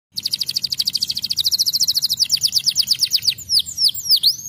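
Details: Canary song played as a lure to prompt young canaries to sing and roll: a fast trill of rapidly repeated high notes for over three seconds, then a few loud sweeping downslurred whistles.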